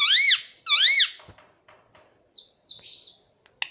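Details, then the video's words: Baby green parrot kept as a pet, uttering two arched, harmonic squawks followed by softer scratchy notes and brief high chirps indoors. "Baby Parrot Voice _ 🦜☺️🥰 _ Parrot voice _ parrot sound"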